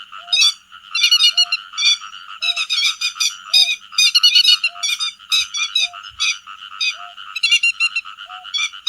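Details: Grey-headed lapwing calling the flock as a trapping lure: harsh, grating note clusters in uneven bursts, with a faint short tone repeating roughly every second beneath them.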